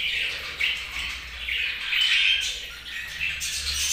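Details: Budgies chirping and warbling, giving raspy high chatter in uneven bursts with brief clear whistled notes mixed into the flock noise.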